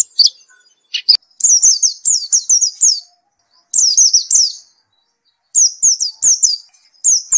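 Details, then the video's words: White-eye in full gacor song after therapy: a few sharp chips, then long strings of high, evenly spaced falling whistled notes in phrases separated by short pauses. "Gila nie pleci setelah diterapi gacor terus"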